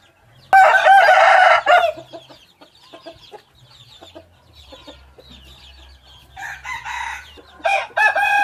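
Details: Hybrid junglefowl cock crows loudly for over a second. After a stretch of faint chirping from other birds, a second crow arrives in two bursts near the end.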